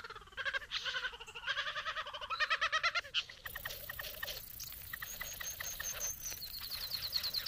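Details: At the bower, a satin bowerbird courts a female with rapid rattling pulses that slide downward, then fainter clicks and a series of thin high whistled notes repeated in a quick string.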